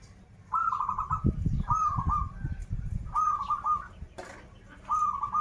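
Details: Local Banten zebra dove singing in the krital style: four quick rolling trilled coos spaced about every one and a half seconds, with low thumping and a sharp clatter in between.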